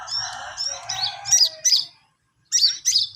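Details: Long-tailed shrike practising song: soft warbled phrases lead into sharp, high chirps in quick pairs, a half-second silence, then two more bright chirps.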